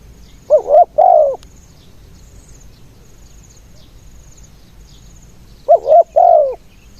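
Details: Spotted dove kept as a ground decoy in Thailand, calling to lure other doves. It gives two brief phrases of hoarse paired coos about five seconds apart, over quiet background with faint high chirps.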